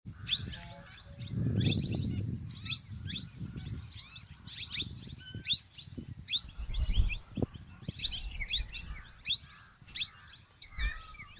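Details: Male and female plum-headed parakeets giving sharp, high chirps and short whistled notes in quick irregular bursts, with several callers overlapping; low rumbling background noise throughout.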